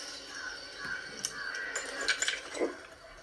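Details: A pet rose-ringed parakeet gives several harsh, raspy squawks at an uneven pace over a faint steady background hum.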